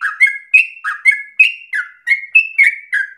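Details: Chattering song of a Yellow-vented bulbul, meant to prompt other bulbuls into long rolling song; rapid bright notes sliding down into warbles, about three a second.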